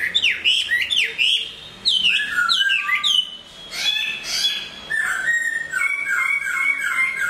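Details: A moulting Hwamei sings loudly: dense, sweeping whistles and harsh-edged notes tumbling together, followed by varied warbling phrases with steady overtones.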